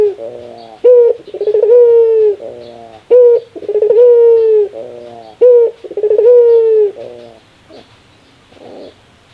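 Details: Barbary dove laughing, a call described as the rarest: three repeats of a brief clipped note leading into a long flat hoot, each trailing into a rough rattling laugh, then fading to quiet.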